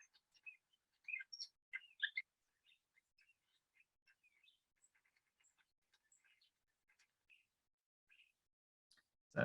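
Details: A common starling in New Zealand, a mimic, gives the call it is normally associated with: a rambling mix of clicks, squeaky whistles and chattery notes, loudest in the first two seconds, ending with a sharp thump.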